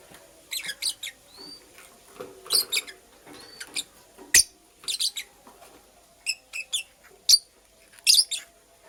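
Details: Female lovebird, purple variety, making a nest and chirping steadily in scratchy doubled and tripled notes with thin upward squeaks and a few soft thuds between.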